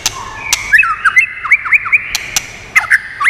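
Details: Training song of a white-rumped shama, meant to excite other birds: repeated short hooked whistles, several in a row, between sharp clicks and a steady background tone.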